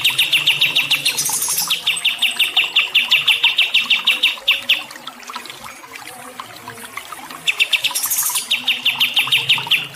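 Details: Chirping bird used to train stressed songbirds: quick, piercing high notes repeated rapidly in long strings, broken by brief hissy flourishes and a lull with scattered softer twitters.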